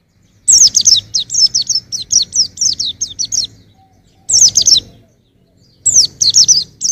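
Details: Songbird-training recording of a white-eye: a long, rapid sequence of around fourteen shrill, descending chirps, followed by two shorter bursts after pauses.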